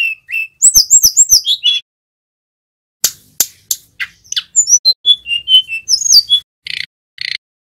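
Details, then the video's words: Young male Sunda robin learning ngerol song for training other birds: fast twittering whistled run, pause, loud clicks, then a series of sweet falling whistles ending in two short buzzy rattles. "Tledekan Gunung Jantan Belajar Bunyi NGEROL"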